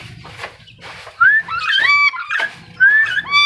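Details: Black-capped lory giving loud, harmonic whistled calls that rise and bend upward, a few in quick succession after a short, quieter stretch of softer notes.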